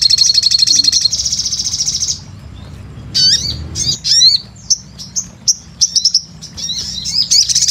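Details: Vocal sunbird heard as a lure call: an opening run of dense, high trilled notes, a short quiet pause, then scattered sharp, upslurred chirps and twitters at a lively, irregular pace.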